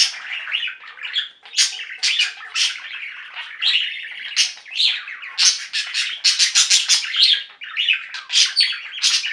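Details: A pet budgie flock in full song: loud, rapid chirping bursts and buzzy warbles, with clusters of sharp repeated clicks and tweets, many birds overlapping.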